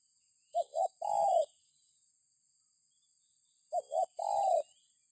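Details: Spotted dove cooing, meant as a lure to get other birds calling: two mellow low phrases, two short clipped coos then a longer slurred one, separated by roughly three seconds of quiet with faint high hiss.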